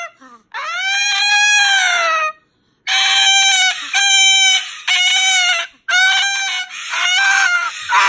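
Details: Pet Moluccan cockatoo complaining at bedtime, unwilling to go into its cage. Long, loud, raspy screeches, each lasting one to two seconds, are repeated four times with short gaps between them.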